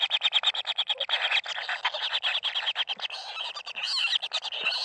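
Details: Common kingfisher babies in the nest during feeding give a continuous, rapid churring chorus of harsh, high, buzzy pulses, many per second, with scarcely a gap.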